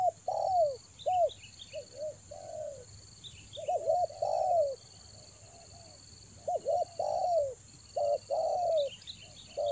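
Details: Spotted dove lure recording from Toba, used to attract birds in the rainy season: arched coos, some single and some paired, repeated in uneven bursts, with a constant shrill insect-like drone above them.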